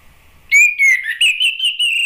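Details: Orange-headed thrush singing to draw answering song from other birds: a sustained clear whistle broken into several linked, slightly wavering notes at an even pitch, each running into the next.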